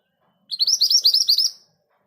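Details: Rolling 'ngerol' song of a scarlet minivet, a quick, even string of about nine high, sweet, slightly down-slurred chirps delivered in roughly one second against a quiet background.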